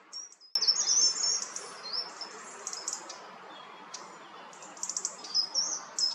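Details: Short-toed treecreeper calling in coastal forest by Taramancos beach, Noia, Ría de Noia: a busy stream of thin, high-pitched chips and short trills, some louder, over steady background hiss.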